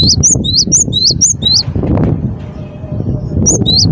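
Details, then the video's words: Cinereous tit singing loudly: quick series of high, rising-then-falling whistled notes, about six in a row, then a pause and two more at the end, over strong low rumbling and fluttering noise. "burung gelatik batu gacor dor"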